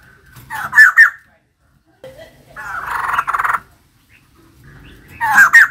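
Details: Harsh, raspy chattering phrases from a female white-crested laughingthrush, given in loud bursts with pauses between, a low background hum throughout.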